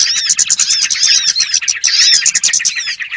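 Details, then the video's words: Lure sound of small birds (burcil) used to attract birds into traps: a steady mass of thin, high tweets and short rising-and-falling whistles from many birds at once. "SUARA PIKAT BURUNG BURCIL"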